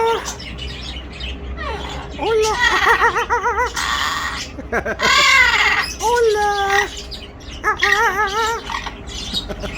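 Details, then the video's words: Pet talking parrot giving a run of wavering, voice-like calls with rippling harmonics, broken by short harsh squawks, with a person nearby. "The talking parrot."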